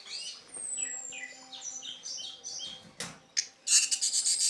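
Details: ['Orange-headed thrush, original teler-style song used to lure and stimulate non-singing thrushes; quick varied chirps and short descending whistles, a long thin high whistle early on, then a louder scratchy burst near the end over faint background hum.']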